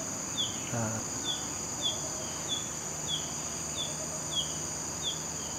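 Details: A female Green-backed Flycatcher (Ficedula elisae), a common winter visitor in northern Malaysia, calls with short, high, down-slurred notes about twice a second over a steady high insect drone.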